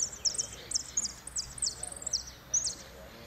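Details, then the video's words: Goldfinch singing 'blanco de repique' at Merlo, 3 January 2016, second place: a dense, continuous chatter of high, sharp, slurred notes tumbling for over two seconds, ending in one louder burst. "Blanco de repíque 2do en Merlo"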